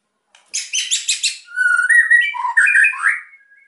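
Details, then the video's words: White-rumped shama singing to provoke quiet birds: a quick series of buzzy chattering notes, then fluid whistled phrases rising and falling. "OCEAN MURAI GACOR EMOSI BIKIN MEMANCING BURUNG YANG PENDIAM"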